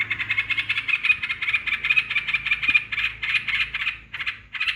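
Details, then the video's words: Rapid, continuous bubbling chatter from a yellow-vented bulbul, played as a lure to rile rival birds. Dense buzzy notes run together, with a brief break near the end before the chatter resumes. "Pancingan burung trucukan yg bikin emosi lawan"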